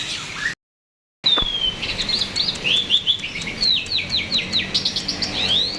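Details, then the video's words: Myna in full song, used as a lure to prompt other birds to sing: after a short silent gap near the start, a long descending whistle leads into quick runs of rising and falling whistled notes and sharp chirps, repeated without pause. "burung jalak gacor bagus buat pancingan agar bunyi"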